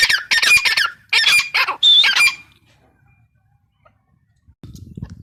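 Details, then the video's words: Female grey francolin call: a quick series of harsh, scratchy squawks in close bursts for about two seconds, then near silence, followed by low background rumble near the end. "Teetar ki awaz | teetar sound | gray francolin teetar awaz | female teetar sound"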